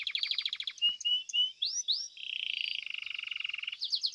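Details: Varied song from a competing Belgian canary: a fast high trill, a few short separate notes, two upward-swooping whistles, then a lower, rapid rolling trill ending in quick high chips.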